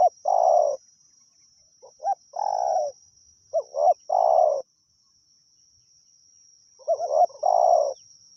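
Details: Spotted dove from the wild, recorded in a decoy-luring session, giving mellow cooing phrases: brief rising notes then a sustained low coo, three phrases spaced by pauses, against a faint steady hiss.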